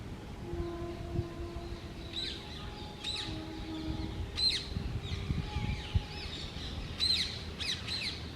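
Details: Wild pair of Indian ringneck parakeets nesting in a hole in a dry branch of an old urban tree. Harsh, screechy calls come in short separate bursts, about five in eight seconds, over a steady low rumble.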